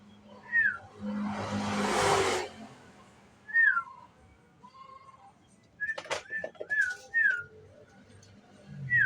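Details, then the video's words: Young sooty-headed bulbul used as a lure, ngriwik style: spaced, sharp downslurred whistled notes, some doubled, with a short burst of quicker notes near the end, after an early loud rushing noise. "Pancingan Trucuk muda Ngriwik"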